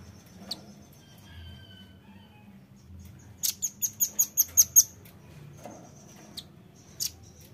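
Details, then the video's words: Velvet-fronted nuthatch lure recording: thin faint whistles, then a quick volley of about eight sharp, very high chit notes, followed by sparse single chips against soft background noise. "PANCING BUNYI RAMBATAN PARUH MERAH"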